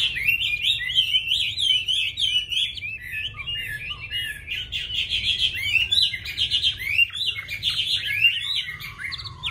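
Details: Caged Chinese hwamei singing a continuous, varied run of loud whistled phrases, rich slurred and warbling notes tumbling quickly with few pauses; a low steady hum sits underneath.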